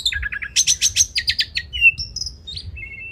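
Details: Kacer, the Oriental magpie-robin, singing masteran material for training contest birds: a quick series of buzzy stacked notes, then a bright rising whistle and a few short, high, clean tones.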